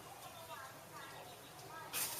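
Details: A hill myna speaks a short phrase in a clear, human-like voice, imitating a New Year blessing wishing good health and wealth, with rising and falling syllables; a burst of hissing ends it.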